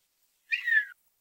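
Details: Swimming male Redhead courting a female with its display call, a quiet whistle: a single half-second note, slightly rough and breathy, dipping gradually downward, with a quiet background.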